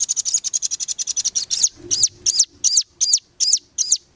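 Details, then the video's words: Velvet-fronted nuthatch (rambatan) tutoring song for competition birds: a very fast, dense trill of high notes that breaks into slower, slurred, downward-bending high whistles about twice a second. "MASTERAN RAMBATAN FULL BESET 2025 COCOK BUAT BURUNG JUARA"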